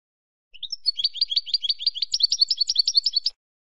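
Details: Spanish European goldfinch song: short upward lead-in notes, then almost three seconds of rapid metallic twittering that shifts to slightly higher, sharper notes in the second half.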